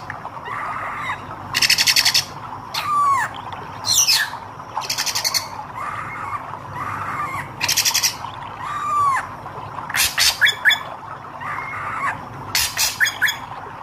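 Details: Red-eyed hair-crested drongo singing energetically, mixing clear upslurred and arched whistles with grating metallic rattles and sharp crackling notes, phrases delivered in irregular succession.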